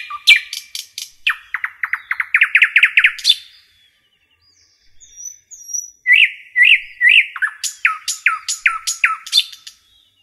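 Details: Forest-singing common nightingale delivers a fast, accelerating run of rising chirps, then pauses. It resumes with looping upward whistles and a rhythmic series of sharp down-swept notes repeated about three per second.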